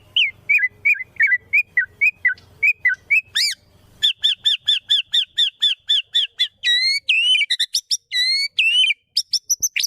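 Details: Magpie-robin training song for a bird that no longer sings. Clear whistled notes repeat steadily, first lower, then higher and quicker, ending in varied bright sweeps, with a faint low hum early on.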